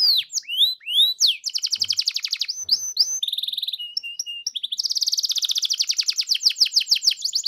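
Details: Lure song for getting a pet canary to answer in energetic 'gacor' style: falling whistled sweeps open into long, fast, rattling trills at a high pitch, broken by a few short flat notes.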